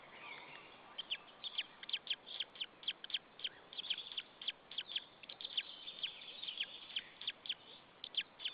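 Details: A lone white-tailed eagle chick in an Estonian nest, 26 April 2013 at 16:44, its parent gone; steady run of sharp, high, downward-flicking peeps, about two to three per second, over a faint hiss.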